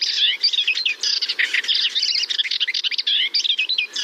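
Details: A Melodious Warbler, a summer visitor whose song includes some imitations, sings a fast, continuous jumble of chattering and scratchy notes mixed with sweeter whistled phrases, running without pause.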